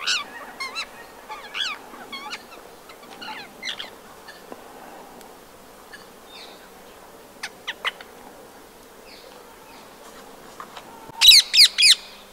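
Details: Winter calls of Rose-ringed parakeets, recorded 26 January 2022 in Empuriabrava, Catalonia: scattered shrill, downward-curving squawks throughout, ending in a loud close burst of four harsh screeches.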